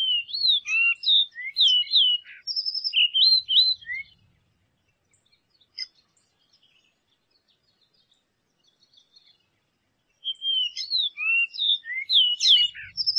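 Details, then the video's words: A variable oriole sings rich, liquid whistles with quick up-and-down slurred notes, delivered in two bursts of about four seconds separated by a quiet pause. "O CANTO DO PÁSSARO ENCONTRO"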